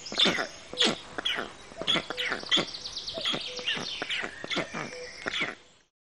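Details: Rasping, scratchy black stork notes come in irregular bursts, mixed with brief clear tonal pips, then the sound fades to silence.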